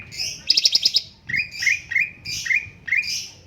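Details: Cucak cungkok bulbul with a lively tutor song: a quick burst of clicking, stuttered notes, then a steady series of clear, slurred whistles repeated about every half second.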